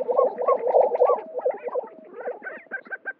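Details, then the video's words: Spring lek of male Lesser Prairie-Chickens in New Mexico, where males fight and display to passing females. Strong bubbling gobbles open the clip, then choppy clucks and a few higher yelps. "Booming and strutting for sex"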